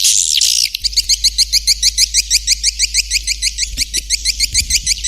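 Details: Swiftlet call played as a lure to attract birds: a rapid, steady series of short, high chirps, roughly three per second, after an opening burst of hiss.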